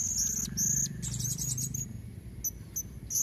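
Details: Female blue-crowned hanging parrot calling to lure red-necked males, recorded from nature: thin, very high squeaky notes in short bursts, some shrill trills, over a steady low hum.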